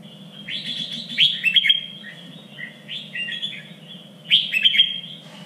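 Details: Red-whiskered bulbul song for training contest birds, a standard three-region style: rolling whistled phrases with bright, clipped accents, repeated loud bursts near the start and end, over a soft low hum.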